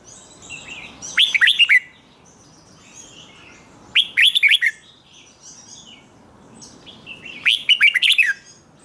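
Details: Red-whiskered bulbul in Thai 'rik' doubled-phrase song, used to teach young birds: three loud rich phrases of five or six rapid slurred whistles each, spaced about three seconds apart, with soft twittering between.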